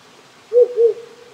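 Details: Rural Japan, cold night, wild owl: a double low hoot, both notes close together at the same pitch, the tail fading gradually; steady stream hiss with no insects or frogs audible.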